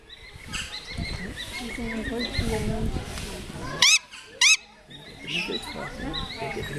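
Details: Young great grey owl gives two brief, sharp, upward-sweeping screams about half a second apart, standing out over steady background talk and murmuring voices.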